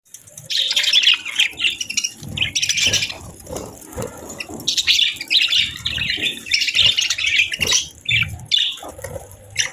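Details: Budgerigars chirping on a peaceful morning: bursts of rapid, scratchy warbling and high chirps from several birds, broken by short pauses, with faint low rumbles underneath.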